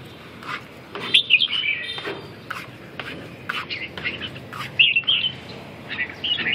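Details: Red-whiskered bulbul singing in short bursts of bright, warbled chirps, separated by pauses, with faint clicks and a hint of human voice in the background.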